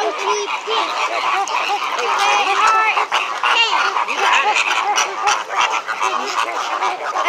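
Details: Captive flamingos at SeaWorld, very noisy: a thick, continuous babble of many short grunting honks blending into one chorus, with no pauses.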